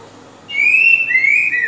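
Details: Green-winged saltator singing the grego boca mole com boi song style, used for tutoring young birds: two clear, sustained whistled notes, the first level and the second slightly lower and slurred, over a quiet indoor background.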